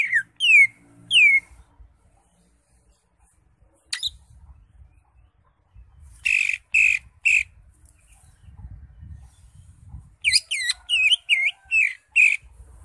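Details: Cucak ijo, or greater green leafbird, in ngekek-style song. Separate loud phrases of sharp downslurred whistles and clipped chip notes, spaced by quiet gaps with faint low background rumble.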